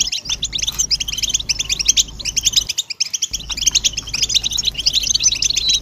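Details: Several European goldfinches in a group twittering chorus of mating and readiness calls, meant to stir males out of silence and into song: dense, bright, rapid chattering notes pouring without pause, broken by one brief silent gap midway, over a faint low hum.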